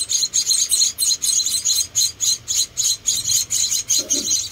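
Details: Four rescued munia chicks being hand-fed give thin, high chirps in a steady run, about four per second, with a brief lower sound near the end.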